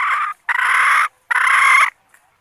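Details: A decoy red junglefowl hen, used to draw in males, makes three harsh, drawn-out, strained notes. Each lasts roughly half a second, and the notes are separated by brief pauses in otherwise silent surroundings.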